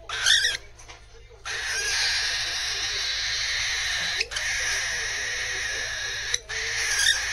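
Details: Pet cockatiel regressing to a baby-like begging voice: a short harsh call, then long sustained raspy, buzzy begging screeches held for seconds with brief breaks, a woman's voice quiet in the background.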